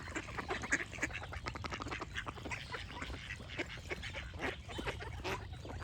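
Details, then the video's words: Rapid, raspy quacking from a group of ducks fills the scene in dense clusters, with bright chirps from other birds cutting through now and then. "Duck Quack Sound Effect with Birds Chirping for Relaxation"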